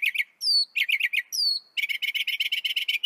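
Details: Northern mockingbird song in a short burst: chirpy doublets, two long high descending whistles, then a fast steady rattling trill of buzzy notes.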